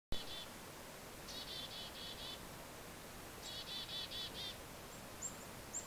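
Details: Black-capped chickadees in central New Hampshire while snow falls, giving three short bursts of four or five rapid, harsh repeated notes, then a couple of faint thin high whistles, over a steady soft hiss.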